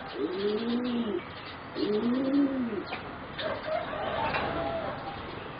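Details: Singing zebra doves bred for competition, four young birds of about 3.5 to 4 months. Two distinct rolling coo phrases, each an arched burble about a second long, are followed by higher scattered chirps and clicks.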